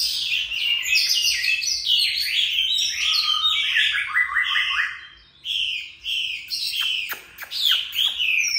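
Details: Oriental magpie-robin in a home cage, delivering loud, high, tumbling warbles and scratchy mimicking phrases, broken by a short pause and some sharp clicking notes.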